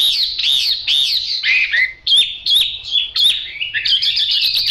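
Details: Yellow-billed, yellow-legged Chinese hwamei in loud continuous song, rich whistled phrases sliding up and down, broken by sharp accented notes and a fast buzzy trill at the end.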